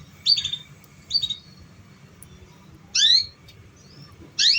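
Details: Canary recording used to encourage young canaries to sing: short paired chirps, then two loud rising sweeps, all high-pitched with silent gaps between.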